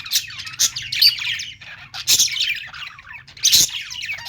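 Budgerigar chatter: scratchy, high warbling with sharp squawky bursts about every second and a half, over a faint low hum.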